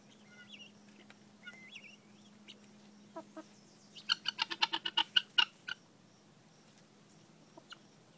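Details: Helmeted guineafowl picking grain alongside chickens on a Wednesday morning give a rapid burst of harsh, rattling, repeated chatter amid softer background chirps.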